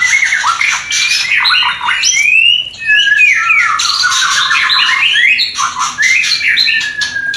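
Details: White-rumped shama mating call meant to arouse a new breeding pair: bright whistled slides, a clear rising whistle, then falling stepped notes and squeaky chatter, delivered continuously and loudly.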